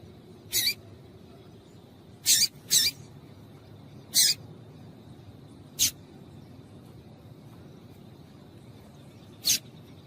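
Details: Female double-collared seedeater call, used to stimulate males into singing: short, sharp, high chip notes given singly or in a quick pair, spaced irregularly a second or more apart, with a faint steady hum behind.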